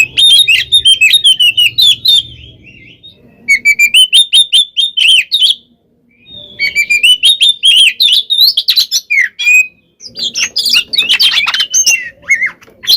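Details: Oriental magpie-robin, a kacer in full-voiced fighting song used as bait to provoke other birds into replying: loud varied high whistles and harsh trills in bursts, with short silent gaps between phrases.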